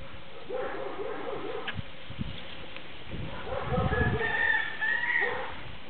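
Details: A captive-bred silver-mutation Baikal teal gives quick runs of about five low, chuckling clucks, twice over, with thin whistled notes from other birds and a low background rumble.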